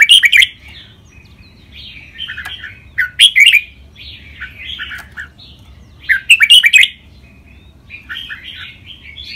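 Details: Training song of a caged red-whiskered bulbul, played for other birds to imitate: short loud chirping bursts alternate with softer liquid warbles, the pattern recurring roughly every three seconds.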